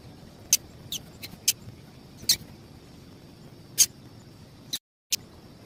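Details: Female double-collared seedeater giving sharp, high, dry chips, single notes at irregular intervals, over a faint steady high hum and low background noise; this female call is used to warm up males for singing tournaments.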